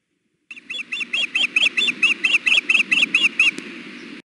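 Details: Female osprey at her nest, fussing repeatedly for her mate to feed her: about fourteen piercing, slightly hoarse chirps in a rapid even series, rising then dropping in pitch, ending abruptly.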